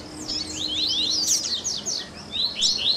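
Double-collared seedeater song: a rapid, busy run of high, sharp chirps and downslurred notes, tumbling almost nonstop, with a faint low hum beneath.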